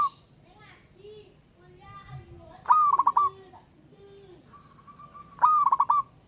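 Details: Local wild zebra dove calling to a rival: two choppy coo phrases, a rising note then rapid short pulses, with low soft whistles and a long flat whistle from other birds between them.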